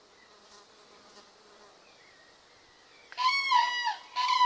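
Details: Common cranes gathered in spring at Hornborgasjön, Sweden, in late April where about 1000 remain and pairs dance to strengthen bonds; after faint background, a loud burst of harsh trumpeting calls with rich overtones near the end.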